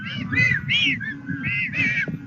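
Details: Penguins in the Cabo Vírgenes colony, Santa Cruz, Argentina, courting, seeking mates or fighting to guard nests, bray in a series of harsh, harmonic bursts in quick succession over a low rumble of wind.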